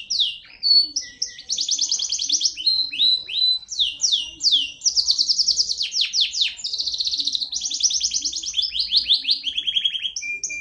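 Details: Native canary delivering a long, rich song: alternating rattling trills, sharp descending chirps and sweeping slurred notes in fast succession, ending with a brief steady whistle.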